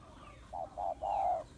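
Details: Spotted dove hen calling to rouse males, in a three-note phrase: two short, muffled coos, then a longer, louder, steady coo, over a hissy background.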